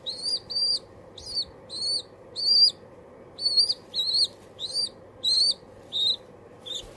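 High, thin squeaky peeps from a young pigeon, repeated about every half second in short bursts, over a steady low mechanical hum.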